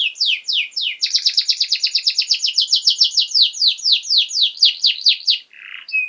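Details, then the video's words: Canary master recording for teaching young birds: steady, fast rolling trill of many repeated down-slurred syllables, slowing into separate sweeping notes, closing with a short harsh buzz and a whistle. "Canary Singing!Masteran Kenari Gacor Durasi Panjang 1 Titik Bagus Untuk PAUD Cantante Canario Actual"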